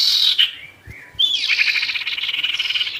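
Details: Sirtu song used to anger wild birds: a buzzy opening, a soft slurred whistle, then a long run of fast, harsh, rattling notes.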